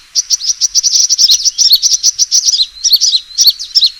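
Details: Sunbird fighting call used to lure birds, evenly spaced high chips speeding into a twittering run, then sharp, separated down-slurred notes.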